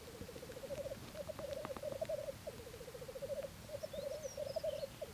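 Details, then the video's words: Courtship display of black grouse, 2014, with a continuous low bubbling rookoo of fast rolling phrases that rise slightly and follow one another without pause. Faint high chirps from another bird are heard near the end. "Parade tétras lyre 2014"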